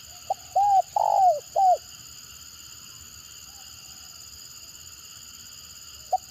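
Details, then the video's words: Stuttering-style spotted dove lure bird giving one short phrase of a clipped note and three soft arched coos, then near silence with a lone brief note at the end; faint hum throughout. "Mendengar Suara Tekukur Gagap Ini Burung Lain Pasti Responnya Gacor"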